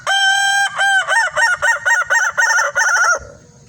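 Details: Red Kukuak balenggek rooster at evening, crowing loudly: a long sustained note and a short second one, followed by about nine rhythmic, tumbling stepped syllables, then quiet background.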